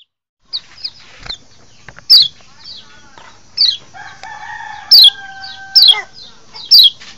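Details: White-eye, local kecial lombok, as a recording for luring wild birds in forest. Loud, short, downward-sliding high notes repeat irregularly about once a second. Softer chirps and a few long lower steady tones sound midway.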